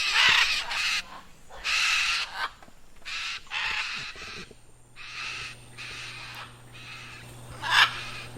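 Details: Scarlet macaw (Ara macao), a social parrot of Colombia: loud, harsh, raspy squawks in irregular bursts, roughly one every second or two, with a faint low hum in the background.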